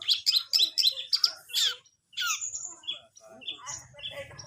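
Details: Long-tailed shrike learning to perform: quick series of loud, squeaky chirps, a drawn-out sliding whistle, then softer scratchy warbling with a low rumble underneath.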